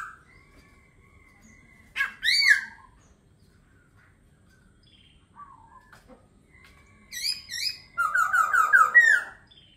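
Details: Laughingthrush singing: a long, thin steady whistle, then loud bursts of rich harmonic notes near two seconds, and a closing run of rapid descending slurred whistles after seven seconds.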